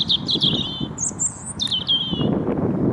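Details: European robin singing from a tree on an old motte and bailey castle site at Bailey Hill, Mold, Flintshire, Wales, on 27 February 2022; high thin trilled and warbled phrases, with steady low rumbling background noise.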